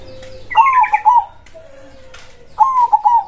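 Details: Local zebra dove with a big voice gives a fast rolling, slightly quavering coo phrase, a soft drawn-out lower note, then another trilled burst.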